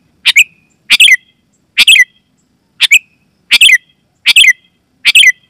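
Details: Seven harsh, rapid note clusters from a sooty-headed bulbul, a loud call played to set other bulbuls singing, spaced under a second apart, each ending in a short downward tail.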